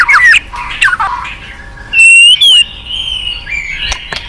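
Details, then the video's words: White-rumped shama song used as a lure for a reluctant caged bird: clear whistled phrases near the start, then a loud sustained whistle and sharp rising notes, with fainter trailing whistles. "Pancingan MURAI BATU MALAS BUNYI Sekali putar langsung NYAUT ,GACOR & BONGKAR ISIAN"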